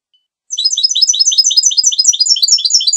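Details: Goldfinch song: after a short silence, a rapid and unbroken stream of high, tinkling twittered notes repeated in quick succession.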